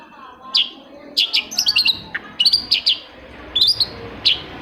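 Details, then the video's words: Long-tailed shrike song meant to coax silent shrikes into answering: rapid clusters of high, sharp chirped notes with brief slurred whistles, delivered in irregular bursts over steady low room hum. "CENDET MACET SUSAH BUNYI PASTI NYAUT KETIKA MENDENGAR TOETAN BURUNG CENDET INI"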